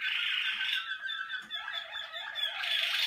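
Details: Bred Malinois waterslager canary, caged, on an early session in the song cabinet: dense bubbling, water-like gurgling phrases run continuously, with a brief dip in loudness mid-phrase before the gurgling swells again.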